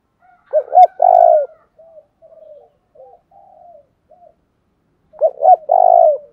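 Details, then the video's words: Spotted dove kept as a decoy, calling in the thuc dau style meant to excite wild doves. Two short notes and a long booming coo come twice, with faint broken cooing between them. "tieng cu gay tho dong thuc dau thuc dau"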